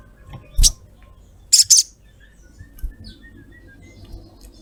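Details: Sogok ontong female calling to a male: one high, sharp chirp followed by a close double chirp, with soft thin whistles trailing afterwards in a quiet setting.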